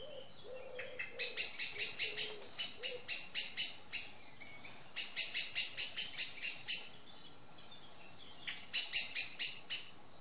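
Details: An angry Common Blackbird scolds two unconcerned juvenile tawny owls with sharp, metallic chinks, several per second, in urgent runs of a few seconds separated by brief pauses.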